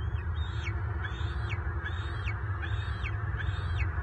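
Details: Male bald eagle fighting off another adult eagle that pursued him to the nest, Southwest Florida, March 2023. Five sharp, high, down-slurred piping notes, evenly spaced, over steady deep background rumble.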